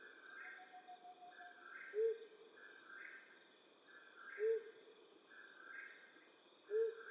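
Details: A flammulated owl hoots at night in western North America: three deep, brief single notes evenly spaced about every two and a half seconds, backed by continuous higher rhythmic pulsing and a low hum.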